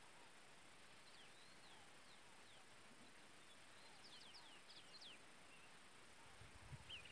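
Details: Pileated finch feeding its chicks: a scattered series of thin, high, downslurred notes, some in quick pairs, over steady background hiss, ending with a low thump.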